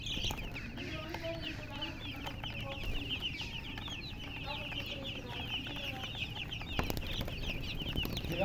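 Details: A flock of baby chicks peeping in a constant busy chorus of thin, high chirps, some falling in pitch, with a few lower sounds and a soft knock near the end.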